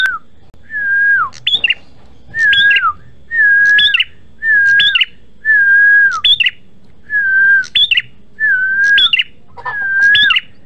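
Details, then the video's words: Red-headed prinia lure recording: the bird repeats a clear whistled phrase about once a second, a steady mid note that dips, then jumps to a high upslurred flourish, against a quiet background. "PRENJAK MERAH GACOR"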